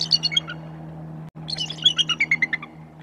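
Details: Pair of bald eagles meeting on a white pine branch in November 2024, likely their second year as a couple. Two bursts of high squeaky chittering notes tumble downward, with a constant low electrical hum throughout.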